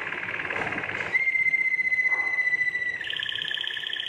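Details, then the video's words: Belgian Waterslager canary, a breed kept for its voice, singing: a rolled trill, then a long pure steady whistle held for about two seconds, then a doubled trill on two pitches. "Huấn luyện chim yến hót | Belgian Waterslager"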